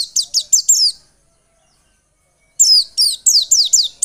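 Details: White-eye singing, meant to stimulate singing in other birds: a run of four high falling chirps, a silent pause, then a longer fast string of similar sweeping notes.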